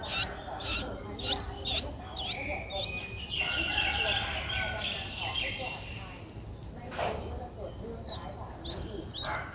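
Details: Streak-eared Bulbul nestlings, nine days old, recorded in Ubon Ratchathani, Thailand, on 11 April 2023. A quick run of sharp rising chirps opens and closes the recording, with a softer, busier stretch of calls and rustling between.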